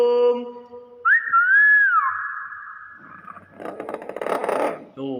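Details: A pet Nias hill myna gives a loud, clear whistle that swoops up and falls away, then a harsh, raspy burst, while its owner talks nearby.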